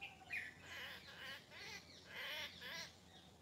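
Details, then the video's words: Unidentified bird in the morning giving a run of harsh, squawky chirps with wavering overtones, repeated in bursts, with another bird's thin calls and steady low background noise. "Morning Nature Sounds - Bird Sounds"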